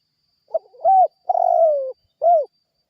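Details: Lure call of a spotted dove, intended to get other birds to respond. One full phrase of mellow coos: a faint opening note, a rounded coo, a long sliding descending coo, then a short closing coo, with no background sounds.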